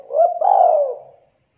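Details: Spotted dove coo from a lure recording for starting a dove's song: a brief lead-in, then a drawn-out, softly rolling low coo that fades away within about a second. A high steady electronic tone sounds faintly throughout.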